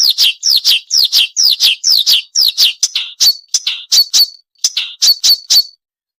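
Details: Sikatan londo song made of a steady series of descending whistled notes, about two per second, shifting to sharper, clipped high notes before a brief pause and a few final notes. Quiet background.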